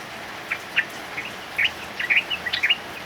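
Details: Yellow-vented bulbul male in the ngropel style, singing during a heavy downpour. Short bubbly notes come in loose clusters of two or three over a constant wash of rain.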